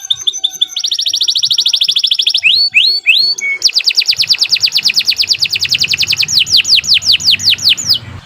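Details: Canary singing a tutor song: short chips, a sustained fast trill, a few upward-curving whistles, then a long rhythmic run of notes that turns into sweeping descending whistles.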